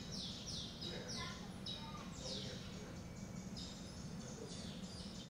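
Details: Taveta golden weaver calling during display: a rapid series of bright, descending chirps repeated about every half second, some overlapping, over a steady low rumbling background noise.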